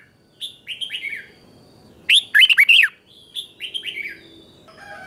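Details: Red-whiskered bulbul practising morning song: soft slurred whistles, then one loud burst of four quick bouncing notes, followed by quieter slurred phrases.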